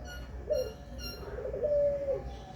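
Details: Indonesian puter pelung coo: a brief hooked opening note, then a sustained smooth tone held level for about half a second before dipping at the end, with soft room noise.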